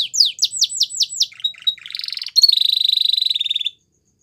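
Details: Song of a white Belgian canary: a string of quick descending whistles, brief pure tones, a buzzy trill, then a long steady rapid rattle that stops abruptly, leaving silence.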